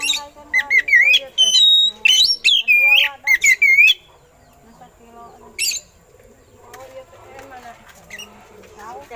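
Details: Eagle-imitating song of an oriental magpie-robin, meant for training other songbirds: four seconds of fast, repeated rising and falling whistles and harsh high notes, followed by a lone sharp burst and soft low chatter.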